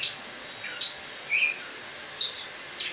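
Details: Indoor caged Eurasian blackcap in autumn, morning of 1 October 2017: sparse soft whistles and short high chirps, a few notes then a pause before more.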